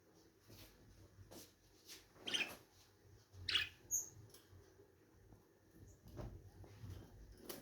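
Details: Lovebirds making two sharp, scratchy chirps a second apart in the middle, with faint high ticks and low room hum around them.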